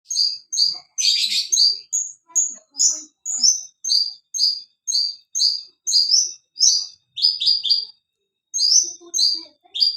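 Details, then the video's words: Javan bush lark singing in the 'suara kristal' style while dancing on a stone: bright, high, clear double notes repeated in steady bursts, one dense trill early on and a short pause near the end. "burung branjangan javanica gacor menari di atas batu suara kristal"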